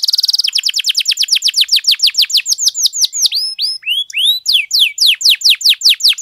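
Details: Canary song meant to excite other canaries: a brief buzzy rattle opens, then a long series of quick falling notes repeated about five times a second, turning into looping upswept chirps.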